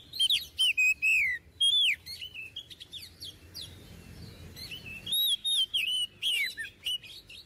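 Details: Energetic Oriental magpie-robin song meant as a model for untrained birds; sharp whistled phrases with falling slurs and chips come in clusters, pause briefly around the middle, then resume with rising and wavering whistles.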